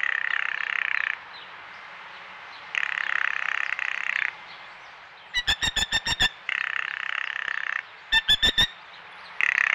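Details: A female Blue Jay at a backyard feeder gives the female-only rattle call: two bursts of dry, evenly spaced clicks, about six quick knocks each, between stretches of steady hissing background noise; owner suspects it isn't territorial.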